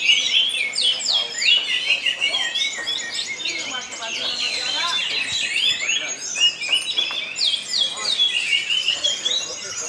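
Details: Orange-headed thrush singing at a songbird contest in Karawang, Indonesia: a dense, rich stream of high whistled and chattering phrases, with other birds' songs overlapping, faint crowd voices and clapping behind.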